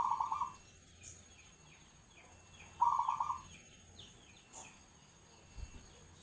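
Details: Perkutut, a zebra dove, singing its agem-style song: two brief, vibrating, trilled coo phrases nearly three seconds apart. Soft clicks and low background hum fill the gaps.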